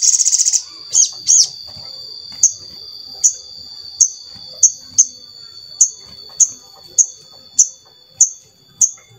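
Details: Crimson sunbird (sogon) used as a singing lure for other sogon: a short buzzy high trill and a few doubled notes, then a steady series of sharp, very high chips roughly every half second to a second.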